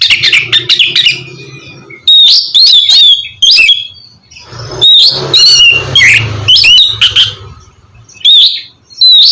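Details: Song of a kacer (oriental magpie-robin) played to prompt another bird to sing: quick chattering notes, then loud whistled phrases with harsh rasps, pauses between bursts.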